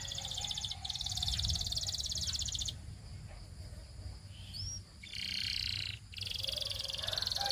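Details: Canary singing as a training song: long, dense, high buzzing rolls that run for seconds at a time, broken by short pauses and a single upslurred whistle, over a steady low hum.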